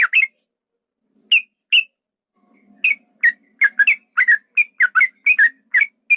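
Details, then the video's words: Lure recording of a male yellow-vented bulbul meant to make rivals emotional: scattered single chirps at first, then a busy run of bright paired chattering notes. "trucukan ropel panjang tarung pancingan trucukan agar bunyi jadikan burung trucukan agar emosi"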